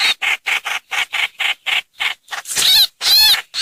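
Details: Short lure recording of a streak-eared bulbul, 2022: a quick series of dry clipped notes, followed by two loud, drawn-out harsh wavering calls.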